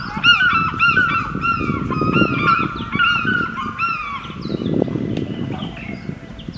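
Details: An African fish eagle on Lake Victoria at Kisumu, Kenya, gives loud, ringing, gull-like yelps in quick repeated bursts, with a steady low rumble of engine or wind underneath.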